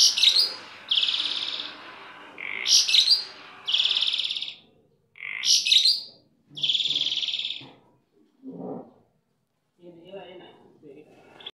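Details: Kept starling singing vigorously: three phrases of sharp chirps, each followed by a long buzzy rasp, then quieter scattered low sounds.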